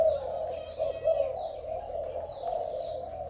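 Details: Malaysian male spotted dove, very vigorous, with a beautiful collar of spots. Low cooing drones on with small swells, while a few thin descending high notes sound above it.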